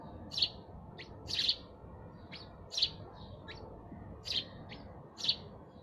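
Sparrows give short, bright chirps, singly or in quick pairs, about once a second, over a low, steady background rumble.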